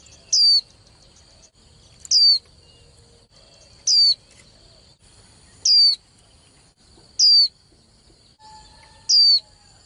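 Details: Caged young female white-eye whose calls are used to rouse male birds for singing contests. Six short, piercing notes each slide downward, spaced about every one and a half to two seconds, above a faint continuous high tone.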